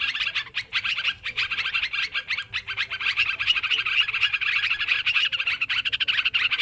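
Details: Yellow-vented bulbuls chattering noisily on a recording meant to lure birds for trapping; short bursts of bubbly notes at first merge into a steady, crowded stream of rapid calls.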